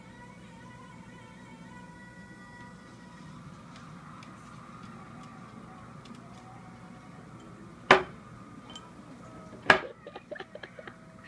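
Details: Faint steady background tones and room hum, then two sharp clattering knocks like dishes or glass near the end; no animal voice stands out.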